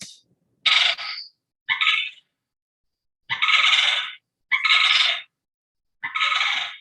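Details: Sandhill crane in Muskegon County in spring gives loud, rolling, rattling trumpet calls that carry a long way, six bursts each under a second, spaced a second or two apart.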